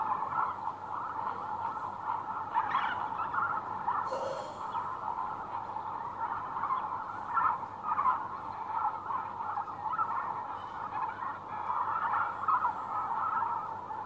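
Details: Lesser flamingos, adult breeding males assembling for a courtship dance display, give a dense continuous chorus of honking, gabbling calls from many birds at once, steady throughout with small swells in volume.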